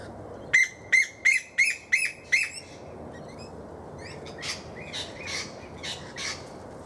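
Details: A female koel gives six shrill, high-pitched shrieking notes in a quick run about three per second, followed by fainter answering notes, with lorikeets feeding in the tree and a magpie-lark nearby.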